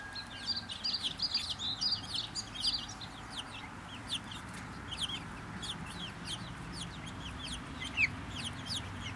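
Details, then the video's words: A happy little bunch of Brahma chickens, many thin high chirps overlapping quickly, with a low rumbling background. "Happy little bunch brahmas"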